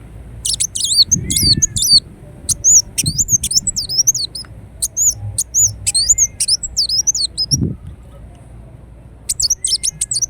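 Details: Ruby-cheeked sunbird, known in Indonesia as kolibri wulung, singing lure and therapy song: long series of sharp, very high, twisting chirps in quick runs, briefly pausing, with soft low knocks beneath.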